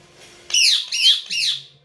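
A rose-ringed parakeet gives three quick, harsh, nasal syllables like mimicked words, each with an arched, scratchy tone, in a quiet room.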